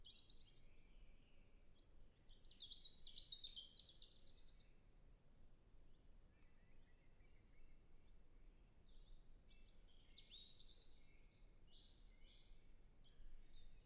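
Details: Early spring European robin in a temperate natural reserve, recorded far off on a Zoom F6 with a Sennheiser MKH 8040; brief high notes, then a fast dense trilled phrase, a long pause, and more thin varied warbling, with faint low rumble throughout.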